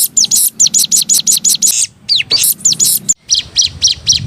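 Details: Canary master song for training other songbirds to copy: rapid series of bright, high, down-curving whistled notes repeated about twice a second, briefly broken by a different sweeping note, over a low steady hum.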